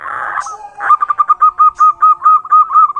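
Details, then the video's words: Zebra dove of local stock singing as a lure for other doves: a harsh burst, then a steady series of about a dozen clear, hooked coos at an even, quick pace. "suara burung perkutut, GURU VOCAL JITU atasi kutut lokal gacor untuk pancingan perkutut agar bunyi"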